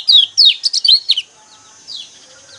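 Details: Song of a lemon-bellied white-eye, played to stir caged birds to sing. A loud burst of quick, high, slurred chirps lasts about one second, then a fainter twitter follows in near quiet.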